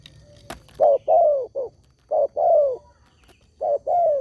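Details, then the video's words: Spotted dove cooing used as a lure to make other doves answer: low, hoarse coos in three-note phrases, a short note followed by a longer drawn-out coo and a brief ending, repeated about every one and a half seconds. "SEMUA BURUNG TEKUKUR PASTI NYAUT DENGAN SUARA INI"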